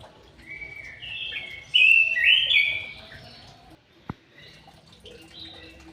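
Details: Captive white-rumped shama in an aviary singing a loud whistled burst of sliding notes, then quieter fragments, with a sharp click partway through.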